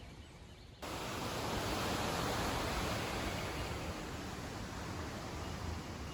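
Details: Quiet at first, then a loud, broad rushing like surf or wind starts abruptly and continues, with no animal voices.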